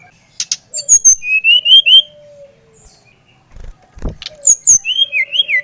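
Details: Brown-chested jungle flycatcher, Bali type, song for prompting another bird to sing: rising slurred whistles in two bursts, the second with sweeping high notes falling into a wavering series, a soft thud between.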